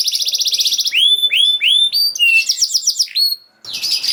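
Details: Canary singing to coax silent canaries into song: a fast trill, then a row of loud falling whistled swoops, a quick rolling phrase, a brief pause, and a buzzy burst.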